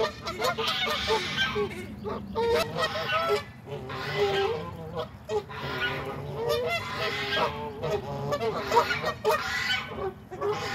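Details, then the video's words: Waterfowl crowding a pond during a Saturday morning feed: a dense, continuous chorus of overlapping nasal honks from many birds, with a steady low rumble underneath. "A very noisy Saturday morning fowl feed on the pond"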